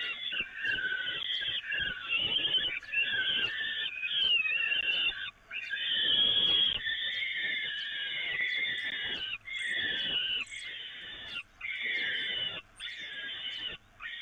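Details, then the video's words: Feeding of peregrine falcons from the grating at the Evoluon nest, 13 May 2018: sustained raspy, screeching calls in long runs with brief breaks and a few sharp high ticks. "Slechtvalken Evoluon, voeren vanaf het rooster"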